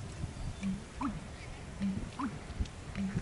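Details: American bittern calling in a marsh: low, hollow notes repeated in a steady pattern roughly every second, with faint higher sounds and a hissy background.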